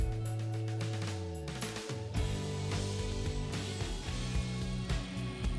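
Music throughout, with deep sustained bass notes, percussive hits and layered instruments, and no animal sounds.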